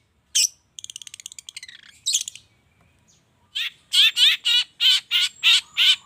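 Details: Long-tailed shrike lure sound in the morning to get shrikes calling: one sharp note, a fast fading rattle, a harsh chirp, a pause, then a steady series of loud grating notes.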